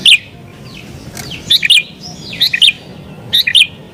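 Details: Sooty-headed bulbul singing in an agitated, challenging mood, used to lure wild bulbuls: short bright chirping phrases of two or three quick notes, repeated roughly once a second with gaps and a faint background hiss.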